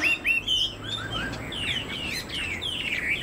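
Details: Chinese hwamei, a caged songbird kept by hobbyists, with a spread tail and a tall, upright posture, singing a varied run of loud whistled phrases, some rising and some falling, with short slurred notes in quick succession.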